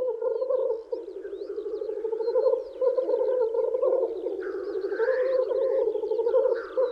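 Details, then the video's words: In spring, several male Black Grouse at a lek courting females bubble in a continuous, low, dove-like rookooing chorus, overlapping, with brief higher wheezing notes breaking through. "Black Grouse Lekking"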